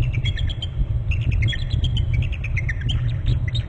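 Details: Bald eagles at a nest territory on Hornby Island, recorded by a nest camera, both calling as the male moves to a branch below a bare branch: rapid high chittering notes, continuous, over loud rumbling wind.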